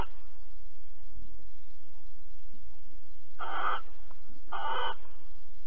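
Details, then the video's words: Barn owl in Alphen, 22 April 2020 at 21:37, mating and cuddling: soft rustling, then two loud, raspy hissing screeches about a second apart near the end. "Kerkuil Alphen 2020 04 22 Paring en Kroelen 21 37"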